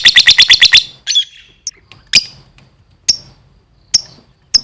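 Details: 'Gacor' lovebird: opens with a rapid burst of seven bright, piercing notes, then a buzzy chirp and several isolated sharp high chips spaced about a second apart.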